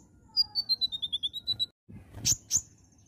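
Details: Oriental magpie-robin song, gacor nembak style: a steady string of about ten short whistled notes sliding gently downward, a brief pause, then two explosive high strokes with a thin trailing whistle.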